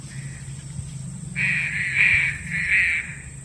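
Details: Green pigeon call used as a lure for bird trapping: after a faint opening note, three loud, rough, slightly wavering notes around the same pitch follow in quick succession, over a steady electronic hum.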